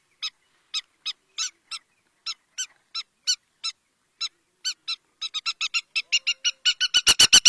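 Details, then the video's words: River lapwing giving spaced, sharp, shrill notes that speed up into a rapid, accelerating string ending in loud, insistent calls. "River Lapwing Call | হট্টিটি পাখির ডাক | Titahari ki Awaaz | River Lapwing Bird Sound"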